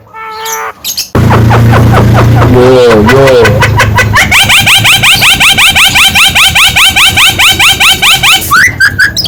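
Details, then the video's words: Javan myna singing a song meant to provoke other birds: a harsh opening burst, then a fast run of loud, ringing, harmonic notes repeated about three to four times a second, with a low hum underneath. "SUARA BURUNG JALAK KEBO ISTIMEWA || BIKIN BURUNG LAIN EMOSI"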